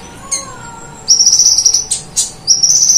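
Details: Kolibri ninja sunbird in full song, mimicking the cililin and golden grasshopper: a lone sharp chip, then an extended insect-like high buzzing trill, a couple of clicks, and the buzzy trill resuming.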